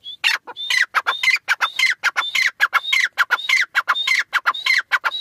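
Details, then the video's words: Iranian teetar francolin pair calling continuously: clipped whistle-then-rasp phrases overlapping in quick succession, loud and grating, near two phrases each second. "Teetar pair ki awaz | irani teetar ki awaz"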